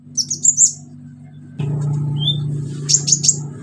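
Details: Active orange-headed thrush song, loud 'shooting' style with mimicry fillers, played to set silent birds singing: a quick high warbled run, a lower whistle, then three sharp high chirps, over rising low hum and noise.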